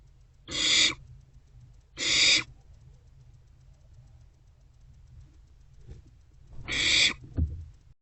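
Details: Barn owlets in a nest box, 27 March 2024, shortly before 2 am, sharing a vole. Two quick harsh hisses, then a pause of several seconds, then a third hiss followed by a faint thump.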